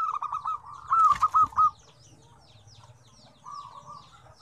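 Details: Zebra dove song from a lively five-combination set of varied tones: a phrase of rapid staccato coos with a sharp knock in the middle, followed by a faint, distant run of even notes.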